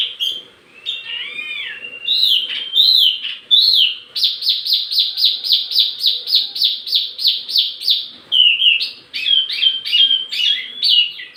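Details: Wambi mini song used as lure and tutor audio for tledekan birds: high whistled notes, then a fast run of bright repeated chips, then varied warbled phrases. Background is clean and carries no other sounds.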